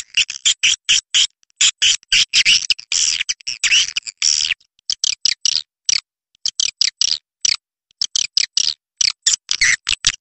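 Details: Edible-nest swiftlet lure call used to draw birds in to roost: dense runs of harsh, buzzy chirps in quick bursts, with short gaps and a brief pause near six seconds.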